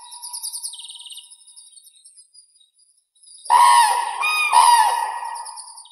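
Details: Common crane, Grus grus, calling: loud, harsh trumpeting notes rich in overtones arrive after three seconds, one long call and a second rising one, preceded by fainter, rapid, high, twittering sounds.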